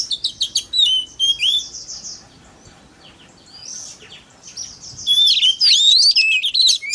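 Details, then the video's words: White-rumped shama singing to provoke other shamas: rapid chirps and whistles, a quiet gap of soft distant warbling, then a loud tumbling run of swooping whistled notes. "PANCINGAN- BURUNG KACER TERBAIK AMPUH MERANGSANG EMOSI KACER LAIN BIAR TAMBAH GACOR"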